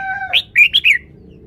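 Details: Caged red-whiskered bulbul performing its song style: steady whistled tones lead into a short run of bright, rising and falling whistled notes, loud and clear over a quiet background.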